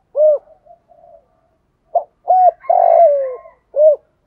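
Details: Spotted dove decoy singing thổ pha style as a fight challenge: an arched coo with faint soft notes after it, then a brief note, a level coo, a long grating falling coo and a final rounded coo, with no background noise.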